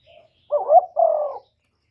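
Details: Caged spotted dove kept as a decoy for luring wild birds coos once in a quiet recording: a soft brief note, then a wavering two-part coo and a longer, level, hollow coo lasting almost half a second.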